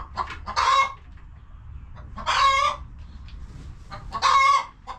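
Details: Chickens in their coop on a homestead, relaxing and eating, give three loud harsh squawking clucks about two seconds apart, with faint soft clucks and a low rumble between them.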